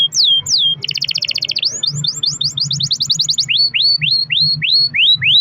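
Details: Pet canary in full lure song to get other canaries singing: high downslurred whistles, a fast rolled trill, then a series of rising whistled notes and a run of rapid sweeps, with a low background hum.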